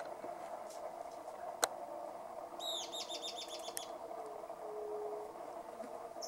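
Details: Euler's Flycatcher (Lathrotriccus euleri) at Santurce - Santa Fe on 3/11/2020 gives a quick run of about ten high, slurred notes lasting roughly a second, over a steady low hum and one sharp click.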